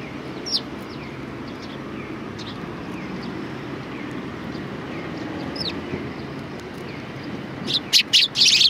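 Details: Sparrows coming to be fed at a Tenmangu shrine on 7 October 2020: thin, high chirps scattered faintly over a steady low background hum, then a cluster of loud, sharp chirps near the end.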